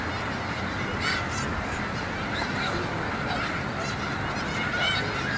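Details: Migrating snow geese gathered in large numbers at a school yard; many overlapping nasal honks and yelps form a dense, continuous chorus, with scattered louder calls standing out around one and five seconds.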